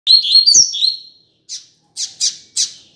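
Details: Double-collared seedeater calling, used to excite and teach another male: a run of high warbled whistles followed by four short, buzzy chip notes spaced about half a second apart.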